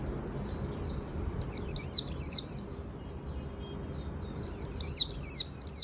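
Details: Japanese white-eye 'líu' song heard in the afternoon, alternating quieter warbling with two loud runs of rapid zigzag chirps, with a short lull between them.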